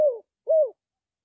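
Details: Spotted dove giving two short hollow coos, the first falling and the second arched, in silence.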